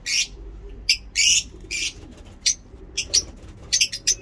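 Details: Lovebirds chirping during fine weather in Peshawar: scattered loud, harsh, high-pitched calls, a few longer screechy bursts mixed with brief single chirps separated by quiet gaps.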